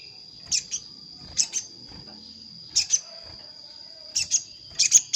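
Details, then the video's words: Sogon lure sound, a bird calling an opponent to attract wild sogon into a trap: crisp high double chirps repeated about every one and a half seconds, with a faint steady whine behind. "Suara pikat sogon paling ampuh_ sogon manggil lawan untuk pikat"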